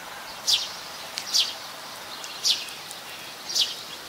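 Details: Plain-backed sparrow (Passer flaveolus) in Ubon Ratchathani, Thailand, on January 17, 2020, giving short, high, slightly descending chirps, about one per second, over a soft hiss of background noise.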